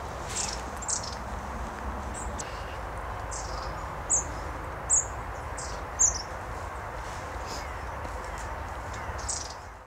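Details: A group of long-tailed tits in leafless winter trees around Sieglarer See near Bonn, Germany, give very high, thin, short 'see' contact notes about once a second, three sharper ones standing out, over a steady rush of wind or distant traffic.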